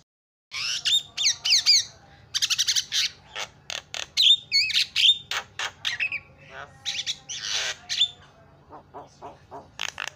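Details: Starling song meant to make other starlings talkative: varied mix of whistled rising and falling slurs, rasping bursts and quick clicks, ending with softer, lower repeated notes.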